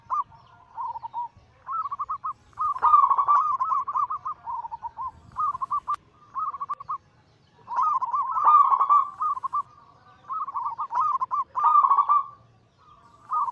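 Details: Chorus of zebra doves, local Bangkok crossed with cemani and katuranggan silver birds, cooing as a lure to excite caged birds. Short rolling coo phrases repeat roughly every second or two, swelling into louder overlapping bursts.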